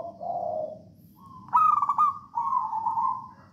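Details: Local Javanese zebra dove in full song, used as a lure to make other doves sing: a low coo, then a rising note leading into a quick rolling trill and a sustained cooing phrase.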